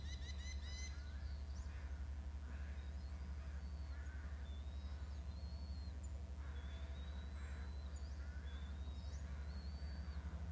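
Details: Eagle calling at its nest: a quick burst of high, clear, stacked chirps at the start, then scattered thin whistles and squeals from other birds, all over a steady low mechanical hum.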